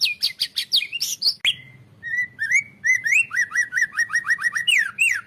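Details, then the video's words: White-rumped shama training song for other birds: rapid chattering high notes, a short pause, then a string of clear, rising, mid-pitched whistled phrases repeated about twice a second. "masteran murai"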